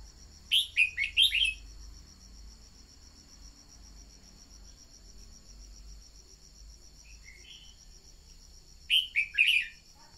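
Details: Decoy red-whiskered bulbul singing to stimulate newly captured birds. A cheerful five-note whistled phrase opens, then a long gap filled by a shrill insect drone and a faint distant note, before a second similar phrase near the end.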